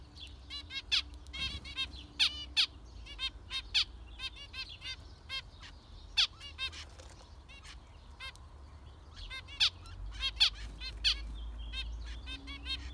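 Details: A busy chorus of zebra finches, short nasal beeps and toots repeated rapidly and irregularly for thirteen seconds, several birds overlapping, with a faint steady tone in the background.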